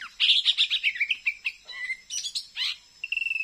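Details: A wild Oriental magpie-robin near a house in a new settlement at midday, already caught on a lime stick, still sings and challenges the decoy, pouring out a rapid, varied song of sweet chirps and warbles that ends in a long, steady whistle.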